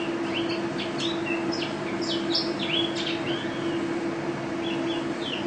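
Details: White-eye, described as a national first-place champion singer, giving scattered thin high chirps and short slurred notes amid steady low hum and background noise.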